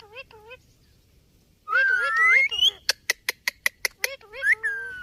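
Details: Talking Indian ringneck parakeet producing wavering speech-like phrases, a long rising whistled sweep, then a run of sharp rapid clicks about eight in a row, ending in a drawn-out harmonic whistle.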